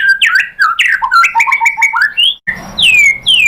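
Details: White-rumped shama song used as a lure to provoke another bird into singing: rich, varied whistled phrases, slurred up and down in quick succession, then a pause and clear descending whistles.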